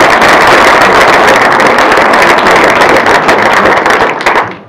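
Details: Loud, dense crackling noise fills the whole stretch and fades away at the end, with no animal voice anywhere.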